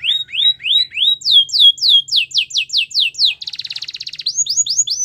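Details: Belgian canary song: slow upswept whistled notes, a faster tour of crisp descending notes, a dense rattling trill, then more rising notes.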